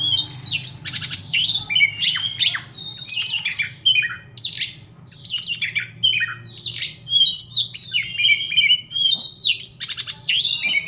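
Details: Large, long-bodied Oriental magpie-robin in fighting mode, pouring out dense harsh song: scratchy squawks, rapid chattering notes and whistled slurs in nearly continuous bursts, with a low hum behind.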